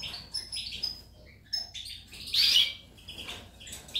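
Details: European goldfinch recorded 19 May 2018, singing a quick twittering series of high, sharp chirps and short trills, with a louder burst of tumbling notes near the middle.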